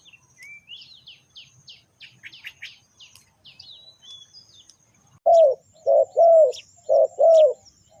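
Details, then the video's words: Spotted dove calling, a recording used to lure wild birds. High thin chirps and twitters from small birds fill the opening seconds, then five loud, low, hollow coos arrive in quick pairs and singles. "Chim cu gáy chiêu kích mồi tập bổi nhanh nổi hiệu quả"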